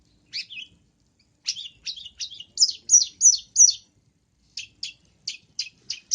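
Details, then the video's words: Long-tailed shrike singing vigorously: rapid chattering series of high, scratchy, twittering notes, about three per second, in two bursts separated by a short pause, on a clean silent background. "MASTERAN BURUNG CENDET FULL ISIAN GACOR"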